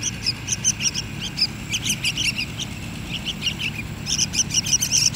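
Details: Begging chirps of yellow-vented bulbul chicks during hand-feeding, high and sharp, delivered in irregular clusters, with a fast run of chirps near the end, over low background hum.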